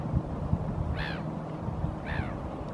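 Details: Hooded crow (Corvus corone cornix) on a Helsinki, Finland shoreline in April 2023, foraging at the water's edge; two rasping, downslurred caws about a second apart against a low, continuous hum.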